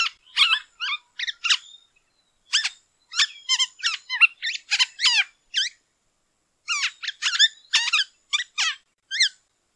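Black-hooded Oriole giving bursts of short, squeaky, sharply slurred high notes in quick clusters with brief pauses between; no other sounds are heard.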